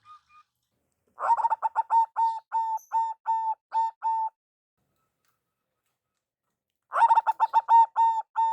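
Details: Local zebra dove, perkutut, lure call: a rapid burst of ringing coos easing into steady, evenly spaced hoots, then a pause and a second fast stuttering phrase.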